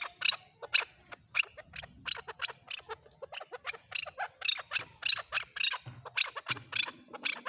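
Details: A male chukar calls in a steady string of scratchy clucks, some doubled, over a faint low rumble in the background.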